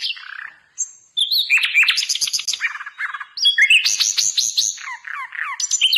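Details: Hill blue flycatcher song for tutoring cage birds: rapid varied phrases of high chirps and downslurred notes, pauses around one second, then dense bursts of sweet trills and sharp slurs.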